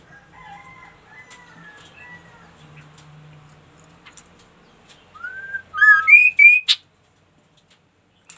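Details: Ashy tailorbird in vigorous song: soft, wavering, warbled notes at first, then a rising whistle. The phrase ends with loud, stepped, climbing slurred notes and a sharp click.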